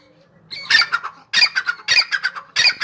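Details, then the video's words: Grey francolin, a dakhni teetar, calling in full spirits: loud harsh grating phrases, each a quick run of clipped notes, repeated about every 0.6 seconds, four phrases in all, with a quiet indoor background. "teetar/tetar ki awaz dakhni teetar /gray francolin full masti mein"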